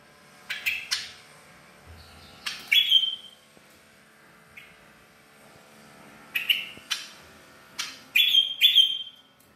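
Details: Tame bar-winged prinia from Koya, singing actively at Kotaraja, Jayapura: sharp, loud chip notes with a ringing high tail, given in clustered bursts of two or three separated by quiet pauses, against a near-silent background.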